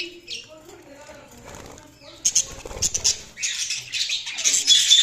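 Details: Budgies give soft scattered chirps at first, then break into loud, harsh, high chattering and squeaky warbles that build toward the end, with a low rumble and faint background voice early on.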